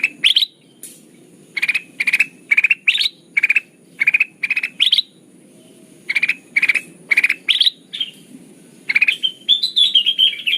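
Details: Sooty-headed bulbul lure for bird trapping: bursts of quick chattering notes with a pause near the middle, ending in a more continuous, higher warbling run of notes.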